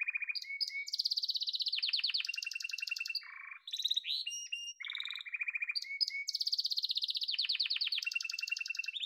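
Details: Yellow domestic canary in full song, alternating fast high trills, low buzzy rattles and short whistled slides, phrases changing every second or so without background noise.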